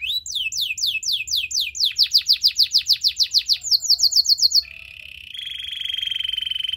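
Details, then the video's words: Belgian singing canary song aimed at attracting other canaries, with sweeping whistled notes accelerating into a rapid high trill and ending in a low, steady buzzing roll. "A special canary to seduce all the canaries - The belgian singing canary"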